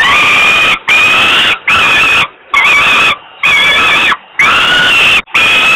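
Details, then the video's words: Hungry young falcon at a camera-watched site in Włocławek, Poland, begging on 27 May 2022 as its father delivers food; repeated loud, grating screams with small pitch bends, roughly one per second. "crying hungry, Dad brings food"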